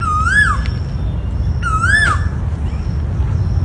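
Two loud, clear Asian koel notes, each swelling upward then dropping, about one and a half seconds apart, over a steady low rumble of background noise.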